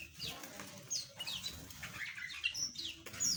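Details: Assorted small birds kept in an aviary give scattered high, thin chirps and brief descending whistles, overlapping from several individuals, with faint fluttering and low background noise.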